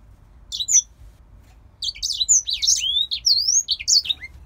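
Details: Grey singer finch, a caged bird bred in Poland, opening with a short high chirp, then after a pause launching into a busy phrase of rising and falling whistles and trills.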